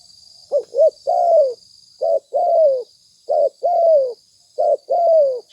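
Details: Lure recording of a spotted dove cooing: four repeated phrases about every 1.3 seconds, each two short hollow notes followed by a drawn-out, gently falling coo, with a thin steady high hum behind.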